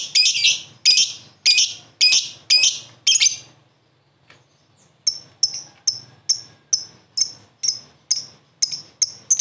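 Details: Lovebird answering another lovebird in ngekek style: a burst of harsh, broad chirps, a short pause of silence, then thinner high chirps repeated about twice a second.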